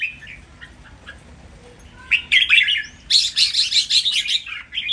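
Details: Caged red-whiskered bulbul master song for training, counted by phrase: soft notes first, then loud rolling whistled phrases and a dense burst of overlapping chirps.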